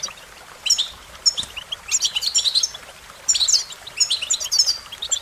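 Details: American goldfinch: after a brief quiet start, energetic high twitters and sweet warbled chirps arrive in two long bursts, notes rapid and varied.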